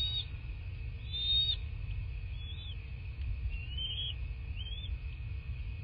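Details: At a southwest Florida bald eagle nest, a nest camera on 14 March 2024 catches high, thin whistled calls, some rising and some falling, scattered across a few seconds over a steady low rumble and a constant tone.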